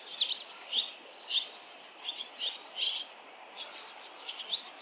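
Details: ['Barn swallows calling at a fledging on a busy street where seven nests have already fledged, parents and other fledglings flying around; short bright chirps repeated every half second or so, some doubled.']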